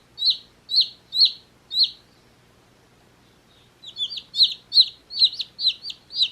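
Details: One-day-old chicks sitting in a beach hat give loud, high peeping chirps, each a short descending note repeated about twice a second, with a quiet pause midway before rapid, overlapping peeps resume.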